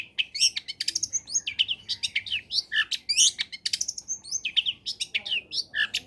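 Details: Long-tailed shrike (cendet) song meant to lure quiet shrikes into song: continuous fast jumble of varied high whistles, slurs and chips, mimicry-like and energetic, with faint low background hum.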